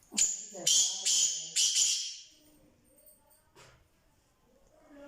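A black francolin gives four loud, harsh, grating notes in quick succession over two seconds, then falls quiet, leaving faint background sounds.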